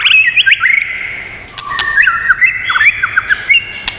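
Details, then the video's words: White-rumped shama singing varied phrases, used to stimulate and train birds: quick chains of looping whistles, a held tone, then rapid slurred notes and sharp clicks. "Chòe Lửa Hót Nhiều Giọng, Luyện Chòe Lửa Hót Căng"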